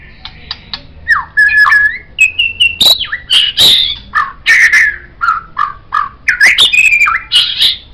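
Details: White-rumped shama singing, offered as a tutor song for training songbirds: a varied run of loud whistled phrases and sharp chattering notes, some rising, some falling, with quick clicks between phrases.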